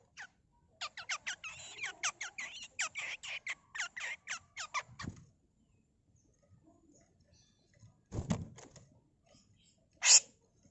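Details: Female grey-cheeked bulbul used for tutoring, pouring out a long rapid train of scratchy rasping notes for about five seconds, then some dull knocks and one loud final squeal.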